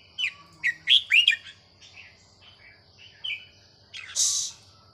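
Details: Small Vietnamese-line red-whiskered bulbul, age over ten, giving counted-note song: four loud, quick whistled notes, softer warbled phrases following, then a final harsh rasping note.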